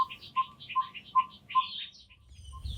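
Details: Yellow-rumped tinkerbird (Pogoniulus bilineatus) in Southern Africa in summer gives steady low, hollow popping calls, two or three per second, as several call in turn through the day; other small birds twitter behind.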